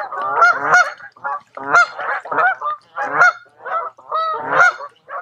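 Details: Honking geese by a lake in Tamiment, Pennsylvania, during a summer stay in July; harsh, nasal honks repeat in a steady series, roughly one every second or so.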